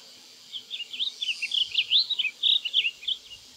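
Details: Blue grosbeak (Passerina caerulea) song: a rich, rapid warble of jumbled high notes lasting nearly three seconds, over a steady background hiss of insects.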